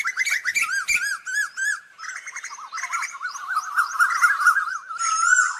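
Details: Asian koel calling the flock with a continuous chatter of rapid arched notes. This flows into buzzy trills and a dense wavering run, ending on a sustained harmonic whistle.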